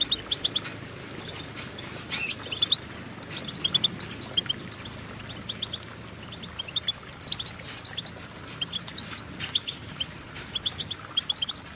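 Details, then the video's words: Goldfinch songbird twittering: long run of high, quick chirps and trills in irregular bursts over nearly twelve seconds, with a steady low hum underneath. "innovative Ways To impress The Goldfinch With Bird Melodies"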